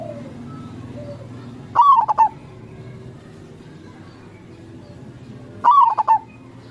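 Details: Zebra dove, a local bird, in crossing-style song meant to draw replies from other doves: two ringing phrases roughly four seconds apart, a quick upslurred note followed by three or four clipped coos, over faint low cooing and a steady hum.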